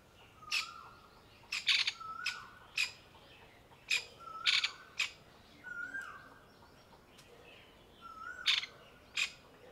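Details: Grey francolin mother panicking over her new-born chicks, crouched camouflaged in dried leaves on a hot summer day; loud, clipped, harsh notes in bursts, with softer lower whistled slurs between them.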